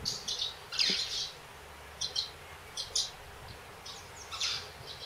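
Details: Eurasian crag martins under a bridge in Odemira, Portugal, where several birds were starting to build cup-shaped nests; a few high twittering chirps, strongest near the start, then sparse single notes.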